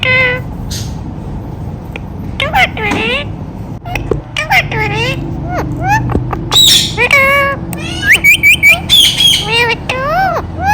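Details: Rose-ringed parakeet talking at length: a rapid string of short, sliding, speech-like syllables and a few harsh squawks, uneven in rhythm and loudness, over a low steady hum.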